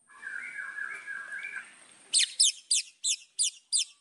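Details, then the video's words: Song of a white-rumped shama, meant to stir up rival birds: a low, wavering warble first, then six sharp, high, downward-slurred notes spaced about a third of a second apart. "MASTERAN MURAI BATU. AMPUH PANCING EMOSI LAWAN"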